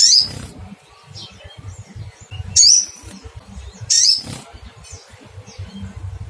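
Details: High, sharp chirps from a little spiderhunter seeking a rival, three strong notes roughly every one and a half seconds, each a brief squeaky slur, over continuous low background rumble.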